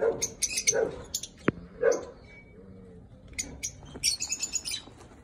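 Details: Masked lovebird (Agapornis personatus) chicks give harsh, raspy squawks in short bursts about a second apart, then a quicker run of high, scratchy chittering.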